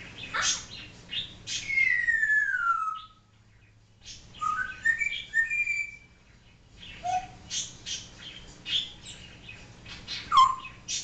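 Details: African grey parrot kept as a pet, talking and copying barking and other sounds: busy clicking chatter, a long whistle sliding downward, a silent gap, then rising and falling whistled phrases and squeaks.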